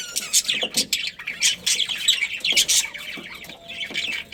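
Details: A budgerigar colony's busy chatter: rapid, scratchy chirps and squawks from many birds in an almost continuous stream.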